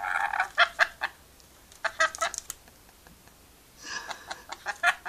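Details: A pet rainbow lorikeet chats and laughs for fun, giving clipped, raspy chatter notes in two clusters split by a quiet gap, each cluster made of rapid staccato syllables.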